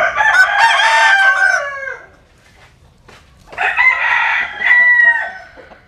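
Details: Sunbathing rooster delivering two strong crows about three seconds apart. Each crow is a rough, harmonic, drawn-out cry that slides downward at its close, with near silence in between.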